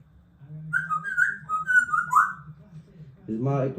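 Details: A male African grey parrot imitates an iPhone ringtone, whistling a quick, bouncing run of clear notes, then a person starts speaking over a low steady hum.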